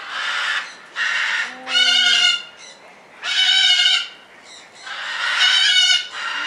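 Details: A red-crowned parakeet (Cyanoramphus novaezelandiae) at Avifauna bird park, Alphen aan den Rijn, Netherlands, gives harsh, raspy chattering bursts roughly every second, mixed with a few nasal, ringing squawks.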